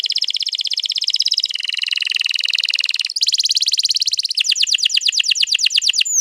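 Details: Canary singing a long rolling song used to prompt other canaries to sing, recorded 21 April 2022: dense rapid trills at high pitch, shifting between buzzy rolls and fast repeated sweeping notes, with no other sounds.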